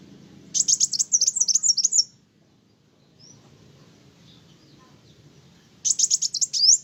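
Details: Energetically singing sunbird, a song that riles other birds: a long rapid burst of high, thin, scratchy twitters, then near silence with one brief faint note, then another quick twittering burst ending in a rising slur.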